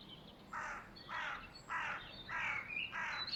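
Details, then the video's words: Birds on a spring late afternoon, 5.3.2023: five loud, harsh, grating calls delivered at a steady pace of roughly one every 0.6 seconds, with thin high chirps between them. "Spring birds chirping (birds chirping late afternoon)"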